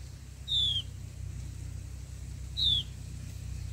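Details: Black-headed bulbul nest, with the mother feeding chicks: two thin, high, slightly descending whistles about two seconds apart against a steady low rumble of background noise.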